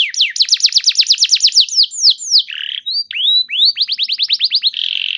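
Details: Canary singing to spur other canaries into song: rapid repeated downward-slurred notes, then a harsh buzzy burst, rising whistled swoops and another quick run of notes ending in a dense rattling trill.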